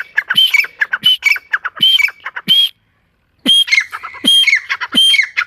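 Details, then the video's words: Forest partridge calling loudly with repeated harsh, ringing phrases roughly every second. There is a brief silent gap in the middle, then the same rapid, scratchy sequence resumes. "جنگل میں تیتر کی بہت خوب صورت آواز"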